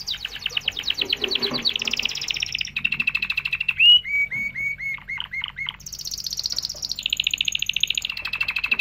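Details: Canary song used to train young birds and stimulate mating: rapid trills and rolling chirps high in pitch, a steady buzzy tour, then descending slurred whistled notes repeated in a quick series before brighter fast trills return.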